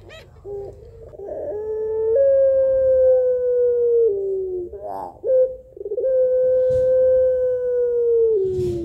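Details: Puter pelung Barbary dove calling males in a rhythmic, melodious, weary voice: short rising notes swell into two long, smooth, gently descending hums, each split by a quick trilled gurgle.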